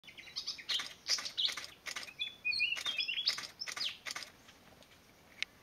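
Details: Malaysian pied fantail in Thailand, 31 May 2019, giving high, squeaky chips and short whistled notes in an irregular jumble, a few each second, over faint outdoor hiss.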